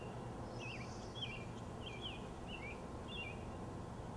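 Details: In May 2013 on a hot day, Bewick's wren chicks in a nest at a house cheep as parents return with food: five short, high, twisting cheeps roughly every half second over a steady low outdoor rumble.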